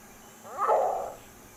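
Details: Green heron, a secretive Maine marsh bird, gives a single very rough, bark-like call lasting about half a second against a quiet background.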